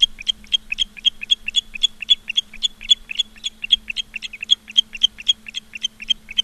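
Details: Osprey calling from a camera-watched nest in Charlo, Montana, 15 August 2023, late afternoon: a long, unbroken run of piercing whistled yelps, roughly four per second, over a faint constant low hum.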